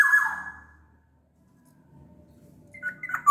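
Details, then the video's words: Sumbawa black-naped oriole used as a lure to make idle birds sing: a loud mellow whistled phrase sliding down and fading, quiet low background noise, then a few sharp fluty notes at the end. "SUARA KEPODANG GACOR"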